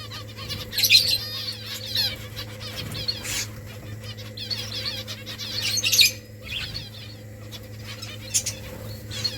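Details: Finches in a colony while building nests, giving bursts of high, rapid chirping trills around one second and six seconds, with scattered shorter tweets between and a steady low hum underneath.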